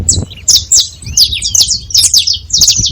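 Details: A group of saffron finches making noise: harsh, high, slurred chips clustered in quick bursts, with a faint low thud at the start.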